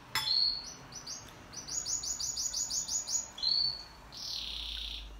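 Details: Pet canary in duet song: short high whistles, a fast string of repeated chirps, a brief clear whistle, then a soft hissing buzz to close.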